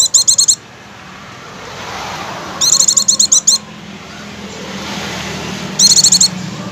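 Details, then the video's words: Oriental white-eye song used as a lure to get other white-eyes singing at once: three short bursts of quick, very high chattering notes spaced about three seconds apart over a soft, steady background hiss. "pancingan pleci agar langsung ngecir"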